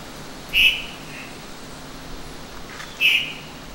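A White-throated thrush gives two short, clear whistled call notes about two and a half seconds apart over a quiet background hiss.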